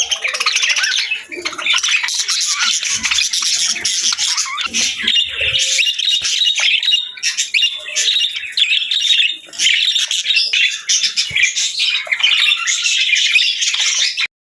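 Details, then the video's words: Budgerigar chirping: a dense, almost unbroken high warble of squeaky chattering notes mixed with short harsh squawks, continuing steadily throughout with only brief dips near the first and ninth seconds; no other sounds are heard. "Relaxing & Soothing Budgie Sounds"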